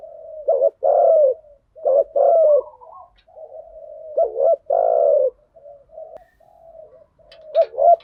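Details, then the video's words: Spotted doves, male and female, in lure calling of 'thúc gù' and 'gáy gọi' styles: deep soft coos in irregular phrases, some short and some drawn out, with quieter murmured notes between. "Tiếng chim cu gáy mồi giọng lôi cuốn hấp dẫn đủ bài[ THÚC GÙ , GÁY GỌI ]"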